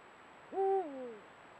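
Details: One of a pair of Eurasian eagle-owls at sunset, recorded by a camera trap, gives a single harmonic hoot: a swift rise, a level middle, then a long downward glide.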